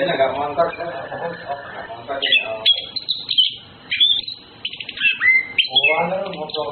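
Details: Orange-headed thrush, male and female courting, giving bright, quick whistled phrases, some sliding and some trilled, in short bursts; a person's voice is heard at the start and again near the end.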